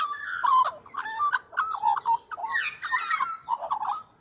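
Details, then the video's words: Close morning singing of little magpies, with loud, rolling warbles of fluty, slurred notes that rise and fall in quick succession without a break. "Littlle magpies singing in the morning"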